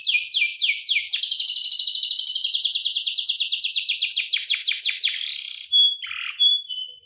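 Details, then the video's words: Canary singing a bright, high trill of fast repeated down-slurred notes for about five seconds, then a few clear whistled notes; a relaxing canary melody. "The Voice of the Canary Bird, singing a super relaxing bird melody"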